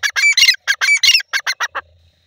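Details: Grey francolin, known locally as dakhni teetar, gives a run of harsh, grating notes in clustered pairs that weaken and shorten toward the end before falling silent.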